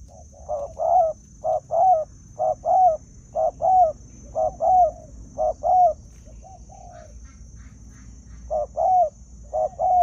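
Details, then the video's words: Long run of spotted dove coos in a decoy-bird setting, short-long paired phrases repeated about once a second, a brief pause with softer notes midway, then the rhythm resumes. "Cu Gáy"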